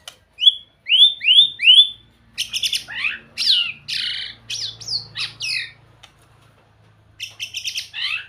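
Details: Melodious song of a white-rumped shama: three clear upslurred whistles, then a rapid jumble of buzzy, twisting and warbled notes, a pause, and a final burst of slurred whistles.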